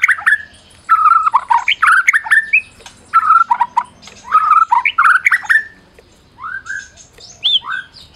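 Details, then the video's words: Medan white-rumped shama, a champion bird, singing to provoke quiet shamas: mellow whistled phrases mixed with short chattering bursts, repeated in several similar bouts before softer rising whistles. "Masteran Murai Batu Medan Berprestasi !! Murai juara,, cocok pancing murai lain yg bisu"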